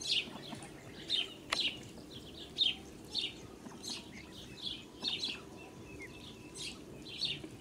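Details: Blue Muscovy duck mother with babies on a farm, 8 July 2017. Ducklings give repeated high, clear peeps, a little under one per second, with one sharp click near the start.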